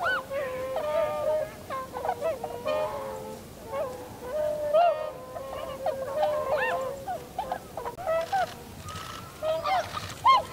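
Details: Tundra swans in winter, flocking, landing and flying, recorded 7 February 2015: a chorus of nasal honks in bursts, some long flat notes among short rising calls, with quieter gaps between.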